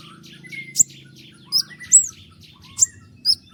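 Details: Common iora pouring out sharp high whistles and slurred chirps in quick succession, a brief lower whistled note near the start, a low electrical hum beneath.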